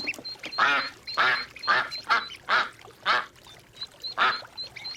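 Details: Duck quacking repeatedly in coarse, nasal calls about every half second, while short high whistled notes from other birds sound steadily in the background.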